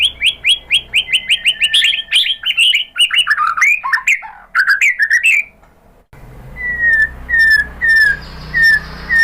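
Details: Lure song of the white-rumped shama, made to provoke replies: rapid repeated clear whistles, then tumbling varied slurred notes, a short silence, and a few spaced falling whistles about a second apart.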